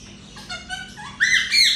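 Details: A grey parrot mimics speech, saying the greeting "Assalamualaikum" in a harmonic, voice-like tone, ending in two loud, bright rising syllables.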